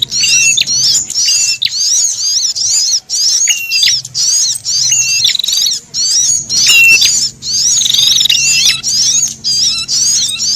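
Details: Alarm calls of a scared, threatened brown-throated sunbird combined with prenjak, meant for attracting birds: sharp, high, wavering chatter in short bursts separated by brief gaps, with occasional flat buzzy trills.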